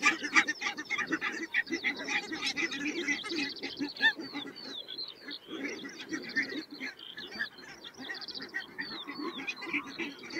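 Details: Barnacle geese calling in a flock: a dense, continuous chorus of many overlapping, short, high yapping notes, fast and uneven, with no gaps.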